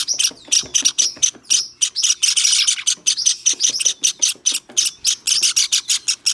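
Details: Recorded 23 May 2021, a hand-tame white Java sparrow chick calls in quick, shrill notes, some ending with a thin whistled ring, in a continuous pulsing run.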